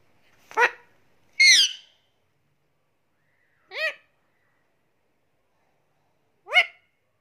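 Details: Pet Indian ringneck parakeet indoors giving four short, sharp, rising calls with bright layered overtones, spaced unevenly over several seconds, with near silence between them.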